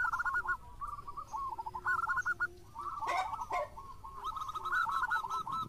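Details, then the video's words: Local Zebra Dove singing vigorously: bursts of quick, bubbling cooing notes repeated in short runs, partly overlapped by a lower, drawn-out coo and a brief broadband rustle midway. "Perkutut Lokal Gacor"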